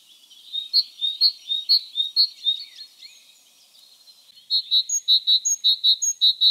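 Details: Great Tit singing: a run of clear, ringing two-part notes repeated about twice a second. After a short pause it resumes with a faster, brighter series of similar repeated notes.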